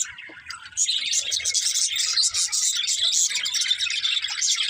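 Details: Budgerigars, several birds, begin quietly and then break into a loud, unbroken flock chatter of warbled high chirps and rapid twitters after the first second.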